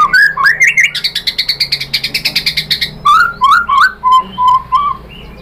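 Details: White-rumped shama lure song used to stir another shama to reply; a fast, regular string of rapid chattering notes, then slower rising whistles and several short level whistles.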